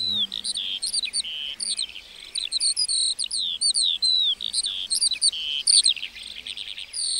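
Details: A lark sings over a meadow, producing a long, varied warble of high twitters, short buzzes and quick rising and falling whistles that run together almost without pause.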